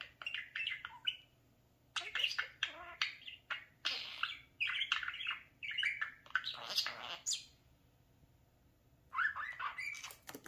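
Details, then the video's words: Talking pet parakeet playing in front of a mirror, giving rapid chattering bursts of squawky, warbled syllables in runs of a second or two, with a few pauses between phrases. "Come here, mirror obsession the talking @parakeet"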